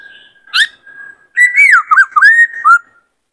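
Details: White-cheeked laughingthrush, a caged male roused to song and display, holds a faint steady tone, gives one sharp note, then a loud whistled phrase with rapid dips and a falling end.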